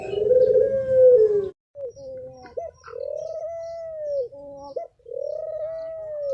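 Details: Spotted dove singing in the thổ pháp style, used to provoke males and females: a loud, smooth, slightly falling coo, then softer clipped coo notes and a long steady held coo.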